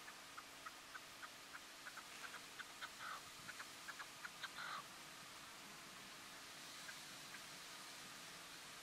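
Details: A Red-legged Partridge in the Crau, France, in August 2014 gives a faint series of short, dry chucking notes, about three per second, for roughly five seconds, over a steady hiss.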